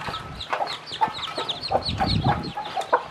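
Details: Hen with a brood of newly hatched chicks, teaching the young to eat; soft clucks and quick high chick peeps overlap throughout, with scratching and pecking noises underneath.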